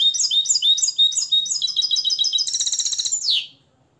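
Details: Hand-reared Moroccan European goldfinch, trained in the limpio song style, giving a continuous bright trilling phrase of quickly repeated high notes that speeds into a fast buzzy rattle before ending in a downslurred note.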